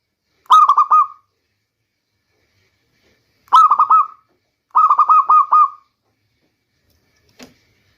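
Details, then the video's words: Lure song of a local zebra dove for the rainy season: three phrases of rapid, bouncing coos, the last the longest with five or six pulses, then a faint click near the end. "Bunyi perkutut lokal terbaik untuk pancingan di musim hujan"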